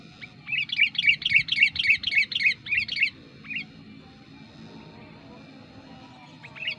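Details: Sooty-headed bulbul lure bird answering wild bulbuls nearby: a fast, even series of about a dozen sharp chirping notes over three seconds, then scattered single notes, with a low background rumble.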